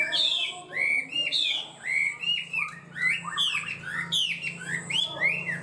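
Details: Chinese hwamei, a kept songbird, singing high and steadily: a continuous stream of loud, rich whistled phrases, slurred notes rising and falling, with quick changes in pitch and hardly a pause between them.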